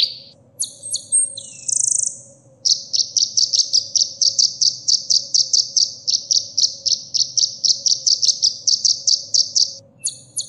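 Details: Purple-throated sunbird (kolibri ninja) song used as training material for caged birds: a few sharp high chirps and a thin whistled note, then a long rapid trill of uniform high notes for about seven seconds, ending with brief chirps.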